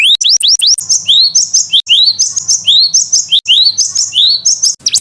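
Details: Indonesian canary singing a master song meant for training other birds. Quick upward-sweeping whistles alternate with sharp high chips in a steady repeated pattern, with a faint low hum underneath.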